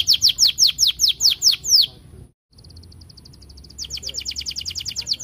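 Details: Canary song used as a lure to make other canaries sing: a steady run of high downslurred notes, an abrupt silent break, a faint thin trill, then a fast rolling trill of rapid repeated notes.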